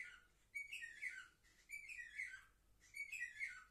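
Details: Young canaries, seven months old, recorded indoors on 10 November 2023, singing three short warbled phrases about a second long each, with quiet pauses between, mixing sliding whistles and rolling chirps.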